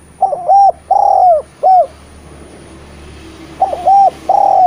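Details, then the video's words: Eurasian collared dove singing steadily, meant to prompt hesitant spotted doves to coo; two three-note phrases with a short first coo, a longer falling middle note and a clipped end, separated by a pause, faint background hum. "Derkuku gacor cocok untk memancing tekukur bahan yg malas bunyi N menjadi Masteran derkuku terampuh"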